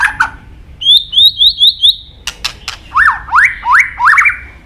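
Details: White-rumped shama (murai batu) singing an isian-filled song: short buzzy notes, then five quick rising whistles, sharp clicks, and three loud swooping whistled notes.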